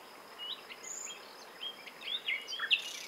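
Common nightingale singing a quiet, varied phrase of scattered whistles and quick chirps, growing busier toward the end, over a steady high insect drone.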